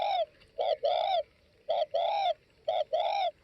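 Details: Spotted dove, Tây Bắc type, calling up close: three crisp phrases, each a brief coo followed by a longer, rounded, slightly arching coo, about one phrase per second, with a near-silent background.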